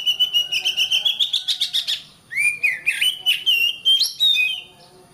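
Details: Oriental magpie-robin song for teaching caged birds to sing, opening with a quick even rattle of harsh pulses, then a brief pause and a run of swooping whistled slurs and chirps.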